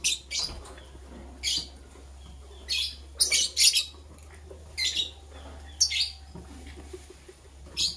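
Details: Green and blue lovebirds in the morning, preparing for egg laying, give sharp high chirp bursts in irregular clusters, about nine in eight seconds, some doubled, over a steady low hum.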